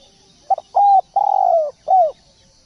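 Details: Spotted dove song, vigorously singing: a short stuttered coo, a clear steady coo, a long rolling coo sliding down, then a final downward-curving coo, all low and mellow, in one phrase against a quiet background.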